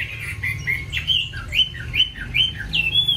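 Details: Short burst from a caged Chinese hwamei's many-voiced song: a quick succession of sharp, slurred whistles and squeaky notes, about two to three per second, each bouncing between higher and lower pitches.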